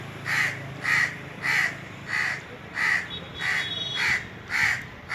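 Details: Indian crows perched on a treetop in the summer season, calling with about nine hoarse, repeated caws at a fairly even pace, a low hum beneath.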